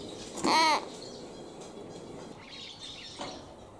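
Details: A single loud, harsh nasal call from a three-month-old common hill myna chick that cannot yet talk, sex undetermined, followed by quiet room noise and a faint second sound.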